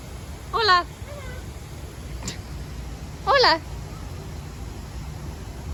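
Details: Pet galah cockatoo in a zoo park, talking while getting attention and head scratches: two short, speech-like utterances about three seconds apart, each a quick warbling run of wavering tones, over a low steady hum.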